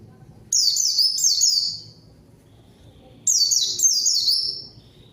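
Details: White-eye lure song intended to call a rival and get quiet birds singing; two quick bursts of shrill, falling twittered notes about three seconds apart.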